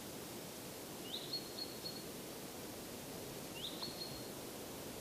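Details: Northern hawk owl (Surnia ulula) at its nest hole with prey and a nearly fledged young: two faint, high, thin calls, each rising sharply into a drawn-out screech, about two seconds apart, over rushing noise.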